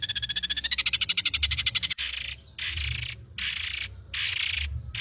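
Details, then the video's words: Long-tailed shrike (cendet) in full, lively song rich with varied fill phrases: a fast train of nasal, harmonic repeated notes, then loud harsh rasping bursts, each lasting under a second, separated by short pauses. "burung cendet gacor isian mewah"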